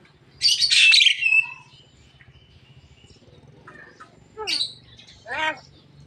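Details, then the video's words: Javan myna, a caged bird said to talk until it coughs: a loud rasping burst, then scattered short harsh notes and a falling buzzy squawk, with faint low hum behind. "burung jalak kebo ngomong sampai batuk"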